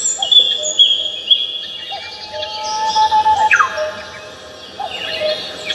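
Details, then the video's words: Several birds singing on Namsan Mountain, Seoul: thin high whistles, a descending slurred note and soft chips, overlapping against a constant low hum. "The sound of birds singing on Namsan Mountain in Seoul 서울 남산 새들의 노래소리가"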